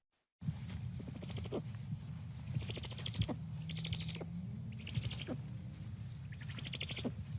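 Great horned owl giving short, high, buzzy chirps in bursts roughly every second, over a steady low hum and scattered faint clicks.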